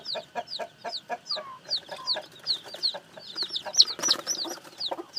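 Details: Newly hatched chicks cheeping with high, falling whistled notes, many overlapping, over a row of soft low clucks; a brief rising-falling trill and a louder shrill burst of peeps come near the end.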